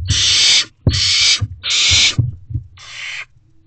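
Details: Young barn owls in a nest box at night on 12 May 2023, siblings competing as one owlet quickly swallows the prey; loud rasping hisses, each about half a second long, in a rapid series with soft knocks between.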